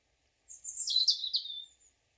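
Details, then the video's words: A European robin sings in the morning: one high, liquid warbling phrase of about one and a half seconds that tumbles downward and ends on a thin, sustained whistle. "The Robin's Sweet Singing"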